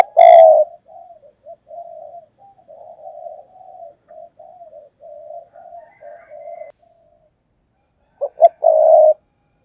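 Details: Spotted dove kept as a tree decoy for luring wild doves, giving urgent fast coos: a loud mellow two-part coo at the start, a long run of soft low murmuring coos, then another strong coo near the end; quiet background.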